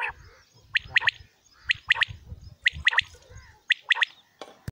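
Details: Common quail calling in a morning recording: short sharp three-note phrases, four times about once a second, each note quick and clipped, over a low rumbling background.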